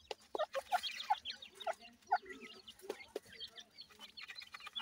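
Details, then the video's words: A group of captive partridge chicks cheeping: rapid high slurred peeps pour out continuously, broken by a few shorter, lower chips and occasional taps. "cute partridge babies"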